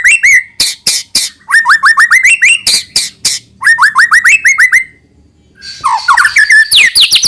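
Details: White-rumped shama song played to lure young birds into singing: rapid repeated downslurred whistles and sharp clicks in bursts, with rising-falling phrases and a short pause before harsher mixed notes.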